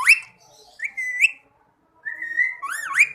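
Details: Rose-ringed parakeet, described as a talking parrot, giving clear whistled notes: a short rising whistle, then a level tone ending in an upward flick, and a longer whistle that dips and rises again; quiet room.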